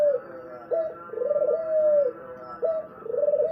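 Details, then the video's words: Spotted dove cooing: low, soft, hollow coos, a short note followed by long drawn-out, slightly rising and falling tones, repeated in a steady series with brief pauses. "suara merdu burung tekukur"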